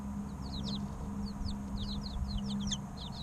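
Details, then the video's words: Several three-week-old chicks chirp busily, overlapping high peeps sliding downward, some louder ones near the end, over a humming low background. "Chicks Chirping Sounds 2 - Baby Chicken Sounds"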